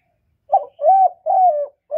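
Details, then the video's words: Spotted dove cooing to entice wild doves to a trapping site, recorded without background noise: a brisk phrase of short and drawn-out low hoots, with the next coo just starting at the end. "Cu gù cực hay kéo bổi về tàng"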